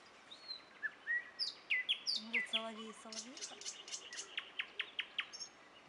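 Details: Common nightingale at Dubki singing a varied phrase: thin whistles, sharp down-slurred notes, low hollow pulses, then a fast series of loud repeated clicks about five per second.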